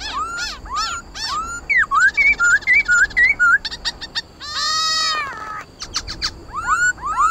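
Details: Khướu mun laughingthrush in combative song to stimulate caged birds: upslurred whistles, a quick zigzag phrase, a harsh grating burst, then more rising whistles.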